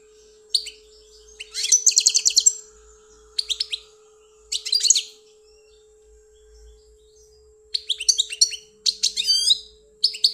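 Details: Caged European goldfinch, a bird from Algeria, giving scattered bursts of liquid twittering and short buzzy trills with silent pauses, a faint hum in the background.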